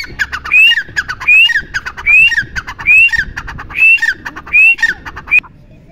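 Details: Grey francolin giving a steady series of shrill phrases, short harsh notes leading into a rising whistled squeal, repeated roughly every 0.8 seconds, with faint background noise.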